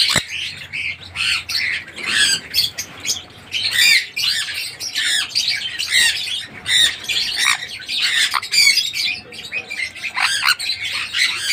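A sun conure gives harsh, piercing squawks in quick, uneven bursts.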